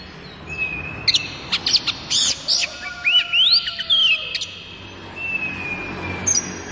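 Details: Oriental magpie-robin song used to tutor young kacer birds and prompt them to sing: a long level whistle, scattered sharp ticks, then rising slurred whistles and glides, ending on another drawn-out whistled note.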